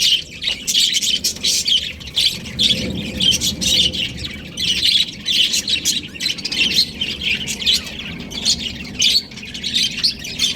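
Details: Baby budgies in an aviary produce a steady chattering chorus of high warbled chirps, pulsing in loudness over ten seconds with many birds calling at once.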